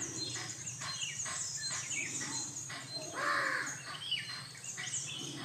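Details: Jungle babbler while grooming, giving harsh, chattering calls in quick bursts with rising and falling notes, one louder squealing note near the middle, over a steady low background hum.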